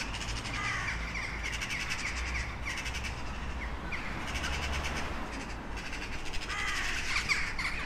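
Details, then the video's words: Crows calling with harsh, hoarse caws in a rapid, irregular series of broadband bursts, set against a steady low rumble, likely wind or distant traffic. "Sunete de ciori. Sunete de pasare cioara."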